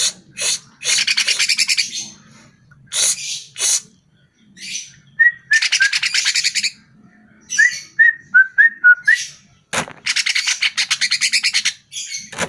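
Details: Greater green leafbird song used as a lure to make caged birds answer and sing: loud harsh chattering bursts in rapid pulses, alternating with short clear whistled notes, some rising and some falling, separated by brief pauses.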